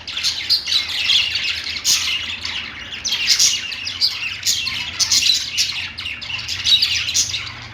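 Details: Several pet parakeets sing on a perch, a constant stream of sharp high tweets, clicks and warbled chatter overlapping, with a soft low background hum.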